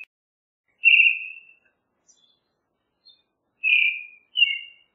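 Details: Creamy-bellied thrush with a few long, slightly descending whistles spaced well apart, the last two close together, in an otherwise quiet setting.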